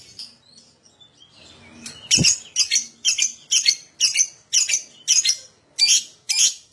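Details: Lovebird song used as a prompt recording to encourage other lovebirds to sing: after a quiet start, a run of harsh, buzzy high chatter notes repeated about twice a second.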